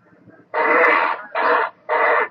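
Great blue heron giving three hoarse, grating croaks, the first drawn out longest and the next two shorter, spaced about half a second apart.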